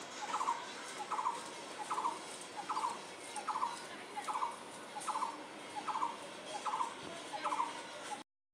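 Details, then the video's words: An unidentified bird repeats a harsh, buzzy burst roughly every 0.8 seconds, about ten times in a fairly regular series, against a hissy background. "এটা কোন পাখির ডাক বলতো আমি বুঝতে পারছিনা"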